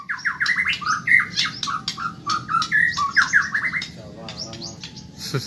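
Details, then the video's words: Caged Medan white-rumped shama in fast song: a steady stream of rising and falling warbled whistles and chattering notes, fading near the end into a quieter buzzy sound. "Masteran burung murai Medan super cepat gacor"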